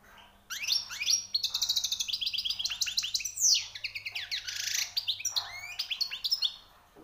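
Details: Newly captured European goldfinch pouring out high, rare song notes: dense, rapid, rolling twitter of sweeping chirps, buzzy rattles and tinkling trills, nearly unbroken for six seconds.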